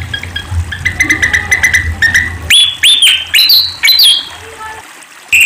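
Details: Sunda pied fantail song, recording meant for tutoring caged songbirds and luring: a fast, even chatter of short notes, then four loud, clear whistled notes, each arching up and down, the last ones slurring higher.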